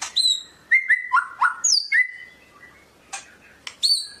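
White-rumped shama singing rich, varied phrases: clear ringing whistles, some sliding down, mixed with quick high chips and sharp rising notes.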